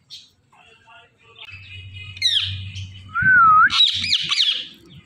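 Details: Indian ringneck parakeet, a talking parrot, giving harsh, squawky, frequency-sweeping chirps. These are followed by a smooth rising whistled note, then more rough, high squawks in a quiet indoor setting.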